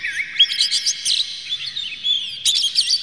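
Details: Oriental magpie-robin lure song of harsh, clear phrases meant to agitate birds into singing. A rapid jumble of loud, warbled whistles and scratchy notes is followed by a second tight burst near the end.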